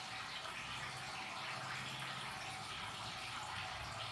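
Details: Steady hissing of running water, as from a tap, fills the recording, with no animal sound.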